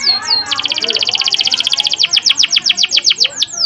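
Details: Canary in a long, tightly packed rolling trill meant to stir other canaries: very rapid even pulses for over a second, then slower, sharply down-swept whistled notes repeated several times a second.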